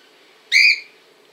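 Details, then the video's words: Cockatiel recorded in Montpellier, a single strong whistled call with rich harmonics, slightly rising then held briefly before fading, against quiet background hiss. "LA PERRUCHE CALOPSITTE 🐦 LE CRI DE LA PERRUCHE"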